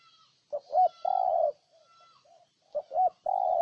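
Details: Spotted dove near Ninh Thuận, Vietnam, repeating its low cooing phrase twice: a brief hoot, a bouncing double note, then a long level coo, with soft distant doves calling between phrases.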